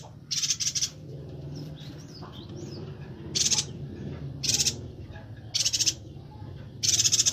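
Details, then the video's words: Singing Bornean yuhina, recorded to tutor songbirds: loud, rasping, buzzy bursts repeated roughly every second, with quieter faint notes in between and a constant low hum underneath. "Suara burung Perenjak Batu/Yuhina Kalimantan Gacor untuk Masteran"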